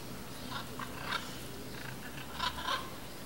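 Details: A flock of blue-and-yellow macaws eating imperial palm fruits makes several short, rasping squawks scattered irregularly through the moment, two of them close together toward the end, against a steady low rumble.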